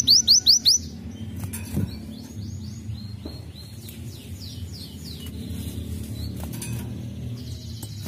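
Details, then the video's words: Sunbird song in the 'isian' style, used as a lure to stimulate other birds to sing: a quick burst of five high sharp chirps, then a series of bright sweeping whistled notes with a few clicks over a low steady hum. "pancingan Kolibri Wulung isian"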